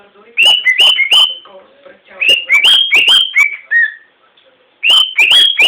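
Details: Pet cockatiel singing a run of clear whistled notes, bright and slightly wavering, in three bursts separated by short pauses, some phrases sliding downward at the end, with faint low voices in the background.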